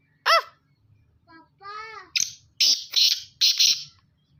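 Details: A young Black francolin of good stock calling for the first time: one sharp arched harmonic note, a few faint tonal notes, then four loud harsh, grating bursts in quick succession, with low background hum.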